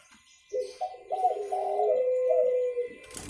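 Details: Spotted dove call meant for luring birds: one low cooing phrase of bubbling notes that ends in a steady drawn-out coo, followed by a brief burst of noise.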